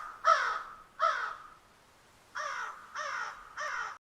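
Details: Crow giving two loud, harsh caws, then after a pause three shorter, flatter caws spaced evenly, with a quiet background.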